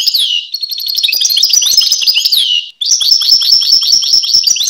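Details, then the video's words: Close European goldfinch delivering a continuous high, twittering song of quick mixed notes and slurred whistles, a drooping sweep, a near-silent break, then more rapid chirping. "Goldfinch (Carduelis Carduelis) Songs"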